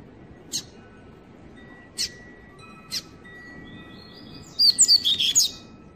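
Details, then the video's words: Young Double-collared seedeater, six months old, born and raised in captivity, singing the Tui Tui style: three isolated sharp chips spaced over four seconds, then a rapid, fast-paced burst of high, bright whistled notes. "INCRÍVEL FILHOTE DE COLEIRO COM 6 MESES JÁ MOSTRANDO SER VELOCISTA"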